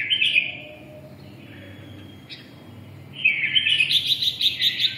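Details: Singing red-whiskered bulbul of the red-eyelid type in 'ché' style: an opening warble, a faint lull, then a loud stream of quick repeated sharp chirps.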